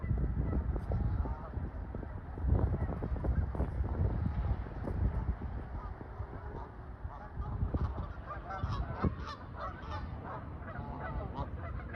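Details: A flock of Canada geese on the water on a fine day, phone-recorded, honking loudly in a loose, overlapping chorus of nasal calls, several per second, with a steady low rumble of water and background noise.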